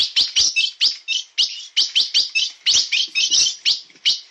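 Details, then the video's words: Bico de aço ultramarine grosbeak in the "na pegada" song style: a quick series of sharp, high, slightly buzzy chirps, about four each second, with a short break midway, clean recording. "Azulão bico de aço na pegada"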